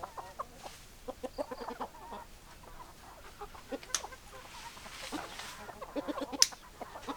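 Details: Hens lured with favourite food give scattered soft clucks in short bursts, with a few sharp clicking or tapping sounds mixed in.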